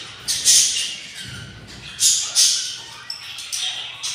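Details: Hungry budgerigar chicks, six in a nest at day 24, uttering a few loud, breathy, hissing squawks separated by quieter gaps.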